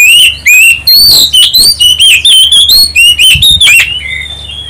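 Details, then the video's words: Oriental magpie-robin song used as a lure to draw other birds into answering. Loud, rich whistled phrases sweep up and down in rapid bursts, about two a second, with short gaps and a faint low hum underneath. "pancingan kacer ampuh tercepat nyaut langsung gacor"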